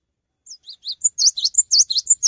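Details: Cinereous tit (gelatik batu) singing vigorously without hopping about: after half a second of silence, soft high notes build into a fast chatter of sharp, squeaky, up-and-down notes, roughly seven per second, with no other sounds.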